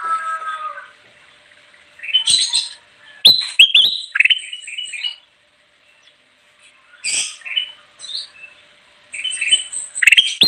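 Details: Bulbul (kutilang emas) in lively song meant to attract wild birds: scattered whistled phrases and crisp chattering bursts, with a brief silent gap midway.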